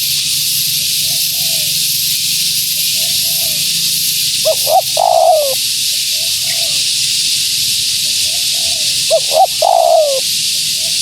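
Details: Spotted dove female call used to lure wild doves. Two loud phrases, each a stuttered pair of notes and a falling coo, stand out between quieter background coos over steady hiss.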